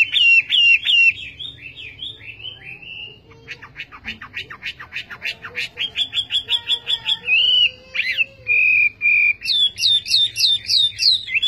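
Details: Varied Chinese hwamei song moving through looping whistles, a fast rattle of short notes, steady flat whistles and finally a crisp repeated phrase, each motif given several times.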